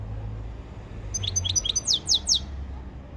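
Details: European goldfinch training song: a short burst of high, sharp chirps and downward-sweeping notes over steady low traffic-like rumble.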